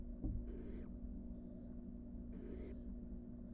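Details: Two breathy, rasping hisses about two seconds apart from wild barn owl nestlings returning to their nest box from the porch; a low steady hum runs underneath.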